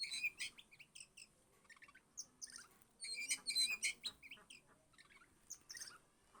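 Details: Priangan Oriental magpie-robin, called clever and obedient, singing a varied run of high chirps, short whistles and quick slurred notes in dense bursts with brief gaps; sound is clean, with no other clear sounds.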